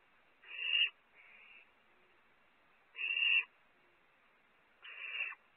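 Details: Barn owl nestling at Audubon's Starr Ranch, California, recorded by nest camera as chick number four gets food from a sibling: three harsh, raspy hissing screeches, each about half a second long, roughly two seconds apart, over a faint hiss.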